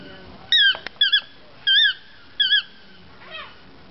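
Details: Toucan in Nicaragua giving four loud, squeaky, wavy calls about half a second apart, each with a rising and falling twist, plus a sharp click and a fainter, downslurred note at the end.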